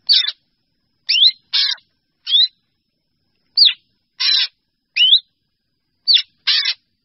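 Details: Black drongo calling to gather its flock. Rasping, scratchy bursts alternate with quick rising whistled slurs, spaced irregularly about half a second to a second apart, against an otherwise silent background.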